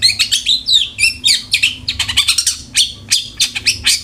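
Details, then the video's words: Long-tailed shrike in a lure recording to prompt kept birds to sing: continuous fast chattering song of short whistled notes, downward slurs and scratchy buzzes, in quick succession. "PANCINGAN CENDET AGAR RAJIN BUNYI"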